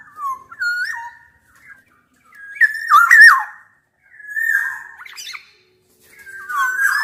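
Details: Black-naped oriole lure challenging a rival, built from Javan and Sumbawa male and female voices: clear whistled phrases with quick drops and twists, spaced by short silences, one phrase ending in a scratchy flourish.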